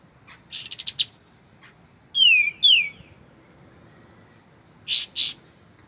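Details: White-shouldered triller, recorded clearly with pauses as a training recording for magpie-robins: a burst of sharp high chips, then two loud down-slurred whistles, and after a silence two more sharp high notes.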